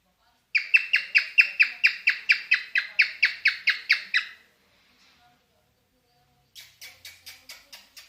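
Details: Cockatiel in a mating mood delivers a long steady string of about sixteen scratchy falling notes, roughly two per second, followed after a silent gap by a fainter series of higher chirps.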